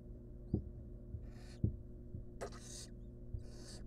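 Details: Wild barn owl mother cuddling her chicks in a monitored nest box; breathy, noisy hissing bursts, several short ones in succession, with soft low knocks and a steady hum.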